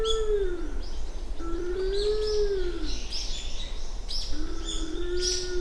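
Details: Low, mournful 'u-uu' coos of a Japanese wood pigeon, three drawn-out arched notes about two seconds apart, recorded at dawn on 29 January 2024 on Uwajima, Kaminoseki town, Japan; small birds chirp faintly above.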